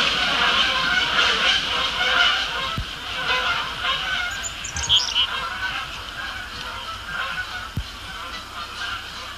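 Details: A flock of Canada geese, including a banded goose, honks in a dense, overlapping chorus. The loud nasal calls come several times a second as the birds take off en masse from the shore of Sapsucker Woods Pond, Ithaca, New York, on the evening of 21 September 2016.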